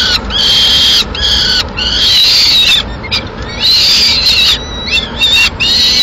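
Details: In Madrid on 21 May 2016 a female peregrine falcon feeds two chicks at the nest with pigeon. Sustained raspy screams in about five bouts, some with rising and falling slurs, short pauses between.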